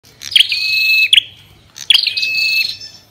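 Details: Ashy tailorbird singing with a female calling: two long high whistled phrases, each opening with a sharp note and then holding steady tones, separated by a short pause.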